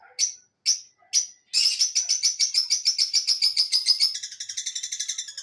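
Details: Parrot calling loudly: three sharp high squawks, then a fast run of rhythmic chirps, about two per second, shifting to quicker, higher trilled notes near the end.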